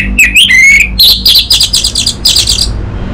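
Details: Orange-headed thrush (anis merah) lure and master song from North Bali, played so a raw bird answers loudly. Sliding whistles open the phrase, followed by a rapid series of buzzy, high, repeated notes that trail off.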